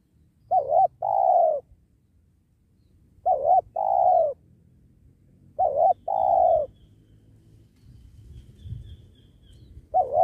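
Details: Repeated spotted dove coos ring out during trapping of wild doves next to a sacred tree. There are four phrases roughly every two and a half seconds, each a quavering short note and a sustained descending coo, over low background rumble.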